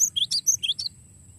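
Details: Java sparrow rolling song used for training songbirds: a short burst of about six sharp, high chirped notes, rising and falling, rapidly strung together before stopping.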